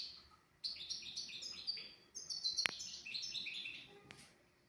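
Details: European goldfinch singing in a tutor recording for young goldfinches and canaries, a lively phrase of bright chirps and liquid trills after a brief pause, broken by two sharp clicks before fading out.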